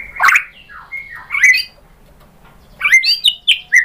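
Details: White-rumped shama song used as a lure to make other shamas answer: scattered loud whistled and harsh notes, sweeping slurs with pauses between phrases.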